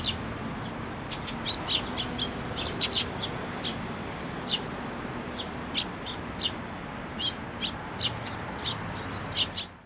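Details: Waiting to be fed by a parent, nestlings at a Tenmangu shrine on 22 May 2024 call insistently with many rapid high chirps, sometimes doubled, over faint low hum and outdoor hiss.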